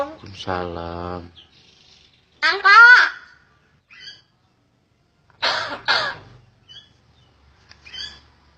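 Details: Captive common hill myna imitating greetings, coughing and human talk; a long harmonic speech-like phrase opens, followed by harsh raspy bursts and a few short faint squeaks between silences indoors.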